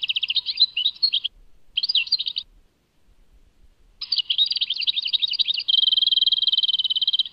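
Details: Song of a European goldfinch, Tadmait: quick liquid twittering bursts broken by short pauses, ending in a long, even, fast-buzzing trill held for almost two seconds. Quiet background.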